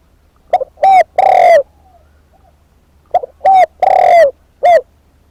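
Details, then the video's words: Spotted dove kept as a decoy bird, calling loudly: a short stuttered note, then a mellow rising-falling coo and a long drawn-out coo, with the phrase repeated after a pause of about a second and a half. The background is quiet. "เสียงนกเขาใหญ่ นกต่อเจ้าภูระเบิด"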